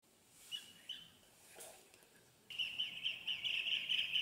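A bee-eater gives a few short, liquid notes, then a steady, rolling, trilled call at mid-high pitch. Faint background hiss is heard throughout.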